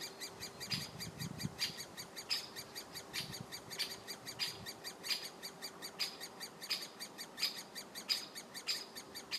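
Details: On 14 June 2017 in Lindgårdsskogen, Haga, great spotted woodpecker chicks beg for food with harsh, rapid chattering bursts several times a second while a parent gives sharp single 'kik' alarm notes about once a second over a faint hum.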